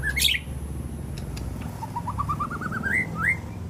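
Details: White-rumped shama, a winning bird at the SMBF Ladong song contest, opens with a sharp high flourish, then a steadily rising trill of rapid repeated notes ending in two upward whistles, with low rumbling noise behind.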